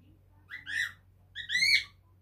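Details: A pet cockatiel, five months old, chattering with varied calls from a light-blue sand perch. Two loud, rising-then-falling whistled chirps come in quick succession, each swelling and fading smoothly, with a quiet room behind them.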